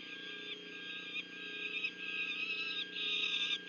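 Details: Peregrine falcon nest, Union County, New Jersey, 6 June 2023, during a food delivery to the young: continuous harsh, rasping calls that swell and break into uneven segments.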